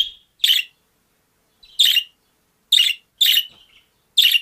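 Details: Budgerigar kept as a pet, uttering buzzy, scratchy chirps at uneven intervals, two closely paired near the end, with a soft whistled note at the start.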